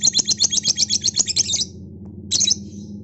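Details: Lovebird, noisy in the afternoon: a rapid burst of shrill, high chirps repeated about four per second for a second and a half, then a brief pause and a short harsh squeak, with a low steady hum underneath.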